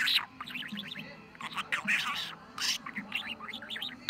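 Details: On 23 November a pet budgerigar in fine form chatters, mixing harsh speech-like bursts with rapid trilled, warbling runs of squeaky notes, above a quiet low hum.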